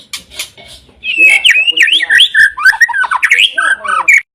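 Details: White-rumped shama song opening with a second of harsh noisy sounds, then loud fluid whistled phrases twisting up and down with quick slurred notes.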